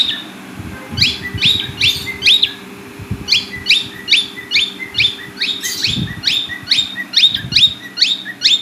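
Cockatiels give rapid, repeated chirping calls, short bright notes rising and falling several times a second.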